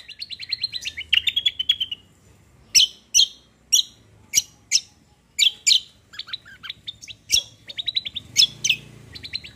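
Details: Active 'gacor' cucak delivering a combo roll 'tembak' song: fast rattling trills open and close the phrase, with loud, separated high chips between them spaced roughly every half second, over a quiet background.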